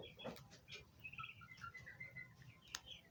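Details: Turkey poults chirping: high, thin chirps and short whistled notes, some rising and some falling, scattered across three seconds, with a sharp click near the end and faint low background rumble.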